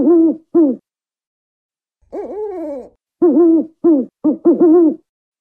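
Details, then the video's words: African wood owl: two short, low hoots, then a pause and a long, wavering note that slides downward. After that comes a quick run of five rounded hoots. The background is silent. "African Wood-Owl Call"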